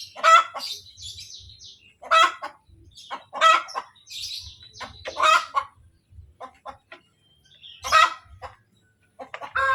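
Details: Hen cackling after laying an egg: loud, harsh, broken clucks in bursts roughly every one and a half to two seconds, with quieter clucks and soft low thumps in between.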